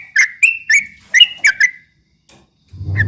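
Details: Straw-headed bulbul in the rapid ropel song style, used to provoke rival birds: six quick bright paired notes with sharp clicky onsets, then a pause and a low electrical hum.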